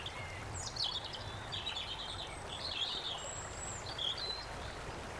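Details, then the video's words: Indigo-banded kingfisher, female, on a clear stream at Tiaong, Quezon province, Philippines, March 20, 2009, uttering shrill, high squeaky notes in short clusters amid constant flowing-water noise. "Indigo-banded Kingfisher"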